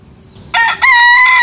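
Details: Young rooster crowing in the Philippines to announce his territory to other roosters: a loud, raspy crow that opens abruptly and then holds a steady, ringing tone.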